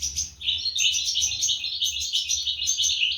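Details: 2023 recording of European goldfinch chicks fed by parents: quick, sharp high chirps in a fast repeated pattern, densely packed, with a low background hum.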